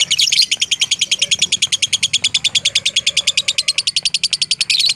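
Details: Fighter-style lovebird song used as master training material: a fast, steady run of high, sharp chirps, about seven per second, continuing without a break, with a faint low hum underneath.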